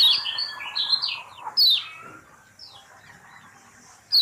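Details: Lemon-bellied white-eye lure song for a mute bird: a few high, drawn-out sliding whistles and one sharp descending squeak, then near quiet with faint room noise and another squeak at the end.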